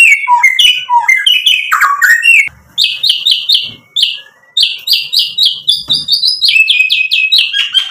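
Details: Vigorous white-rumped shama song meant to rile rival males: tumbling rich whistles and quick slurred phrases, a short break, then long runs of sharp, high, evenly repeated chip notes that step slightly downward.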